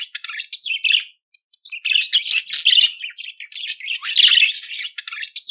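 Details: Budgerigar song for teaching pet budgies to sing: busy chattering warble of scratchy chirps and squeaky notes, dense bursts with a brief pause near the middle, clean background.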